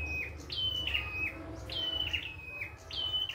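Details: Lively wild prinia song of clear high notes sliding down in steps, repeated about every second, with a steady low hum behind.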